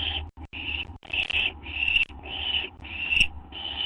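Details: Owl nest shortly after midnight, 6 September 2011, as food arrives: loud, breathy rasping hisses in quick succession, broken by brief clicks and knocks.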